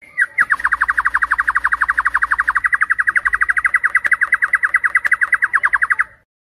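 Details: Night song of a white-rumped shama, used in Indonesia as a lure for contest birds: a fast, even trill of clipped whistled notes, about ten per second, held for nearly six seconds.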